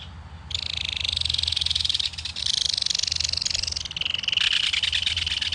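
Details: Adult belted kingfisher and its young chattering at their nest in a mud bank while the baby is fed fish. A steady, loud, buzzy rattle of rapid pulses continues almost without a break, with brief dips in volume.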